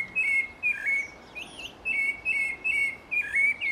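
Rufous-bellied Thrush singing short, clear whistled phrases around a steady pitch, repeated about every half second with brief gaps.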